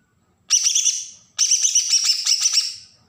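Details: Bornean green leafbird from Berau, Kalimantan, giving a besetan (agitated) song used to provoke young wild-caught birds: two harsh, buzzy bursts of rapid pulsed notes, the second longer, in a quiet background.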